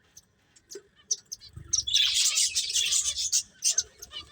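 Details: Finches playing: sparse single high chirps open, then a thick burst of rapid overlapping twittering swells and fades into scattered notes, with faint low bumps.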